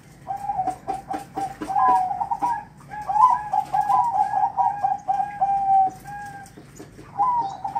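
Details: A zebra dove calling for its female gives a run of soft, rolling staccato coos, then a sustained warbling coo phrase. Faint clicks and background noise sit behind it.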